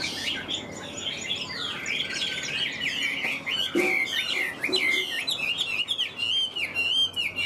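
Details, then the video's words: Chinese hwamei kept as a cage bird, pouring out a long continuous run of bright, twisting whistled notes, fast and varied, growing louder toward the end, with a brief knock midway. "Họa mi bóng bộ to đẹp hót cao"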